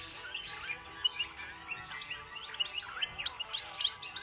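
A goldfinch's fast, tinkling song of bright twittering notes and liquid trills in a continuous high run, over a faint steady background hiss.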